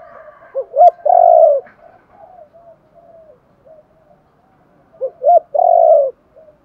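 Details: Spotted dove cooing to encourage wild-caught birds to call: two brief low hoots and a drawn-out rolling coo, repeated about four seconds later, with faint soft notes between.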